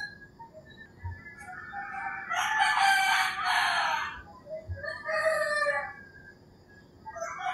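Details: Rooster crowing at early morning in rural Philippines: a loud, raspy crow about two seconds long, followed by a softer, shorter crow and fainter calls, over a steady background hum.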